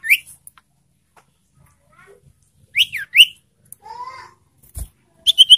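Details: Ashy tailorbird lure call, used to provoke and stimulate birds in breeding condition: clear, rising whistled notes in short, scattered phrases, with a brief thump and a quick run of sharp notes at the end.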